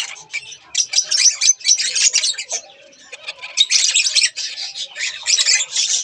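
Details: A pair of budgerigars chattering in a steady stream of fast, scratchy warbles and chirps, bursts broken by a brief lull midway before the busy chatter resumes.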